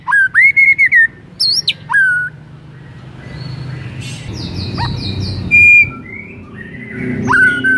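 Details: White-rumped shama song meant to trigger other shamas to sing: a quick series of rich whistled notes, a high falling slur, a gap with background hum and softer chirps, then another sustained whistle and a final rising note.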